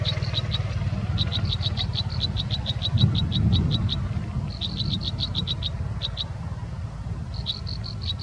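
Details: American robin nestlings begging as a parent feeds them in the nest: rapid bursts of high, thin peeps repeated in quick series with short pauses, over a steady low rumbling background noise.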